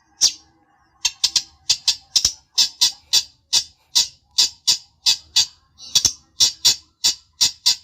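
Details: Harsh, rasping notes from a long-tailed shrike, repeated roughly three times a second in a steady series, played to anger a rival bird into answering.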